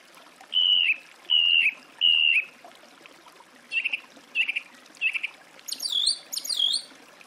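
Song thrush singing clear whistled phrases, each repeated two or three times: three sliding whistles, three shorter notes, then two higher, more complex phrases.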